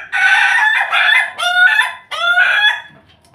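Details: Domestic rooster, recorded with Bangkok and Pelung chicken breeds, crowing loudly: a harsh, richly layered cock-a-doodle-doo in several drawn-out segments across about three seconds, the last note trailing off into quiet.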